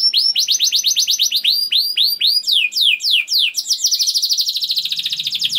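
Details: Young canary song played to make other canaries sing: crisp whistled rising notes repeated rapidly, slowing into longer sweeps, then speeding into a dense rolling trill.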